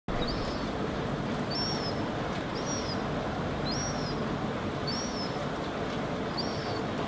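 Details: Herring gull (Larus argentatus) fledgling standing on rocky ground in Helsinki, Finland, in August 2016, gives six thin, high, slightly arched whistles, about one a second, over a steady low rumble of wind or distant traffic.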